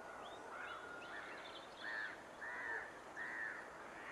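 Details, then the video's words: Lesser black-backed gull at Lingham Lake on 14 March 2015, filmed with a Lumix GX7 and Swarovski scope: three short, nasal, slightly downslurred calls spaced about three-quarters of a second apart, with fainter gull calls and steady outdoor hiss behind. "Lesser Blackbacked Gull"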